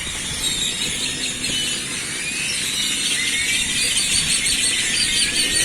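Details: Large flock of grackles massed in the central square of a small coastal village at Celestun, Mexico, birds fed there each morning; a dense, continuous chorus of shrill squeals, whistles and rising slurred notes from many birds at once.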